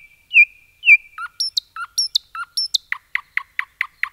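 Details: Forest nightingale song phrase: two loud slurred whistles, then paired high and low notes alternating, ending in a steady series of sharp descending chirps about five per second.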